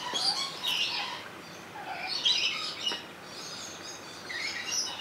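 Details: Rainbow lorikeet in Opole Zoo, recorded on a Sony HDR-XR160E: irregular high, scratchy squawks and squeaky chirps in loose clusters, a softer lower chirp in between.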